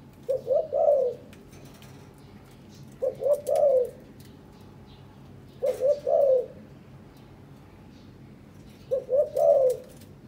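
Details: Spotted dove from a courting breeding pair in captivity, nest-building; four three-note coo phrases, two quick notes then a long falling one, about every three seconds, with faint clicking noises.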